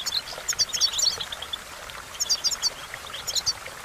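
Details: European goldfinch song used for training, with bright, high twittering notes in quick clusters, two bursts separated by a pause of over a second, over a steady hiss like running water.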